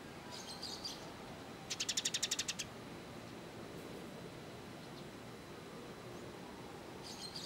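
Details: Kolibri ninja sunbird song used as bird-training material: a faint high twitter, then a brisk trill of about ten rapid notes, then quiet hiss, with another soft high twitter near the end.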